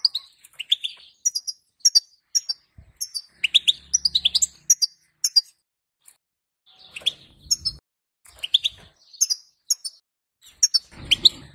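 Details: Calling female European goldfinch meant to prompt male song: fast high twitters and rising slurred chirps in long runs, with a faint low hum midway and rustling noise at the end.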